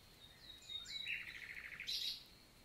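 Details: Common nightingale singing in the daytime on a June morning in the Célé valley, Lot, France; a thin whistle leads into a fast run of evenly repeated notes, ending in a bright high flourish.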